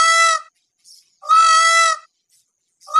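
Loud, nasal, trumpet-like peacock calls, a short blast then a longer held one, with the next call starting about a second later.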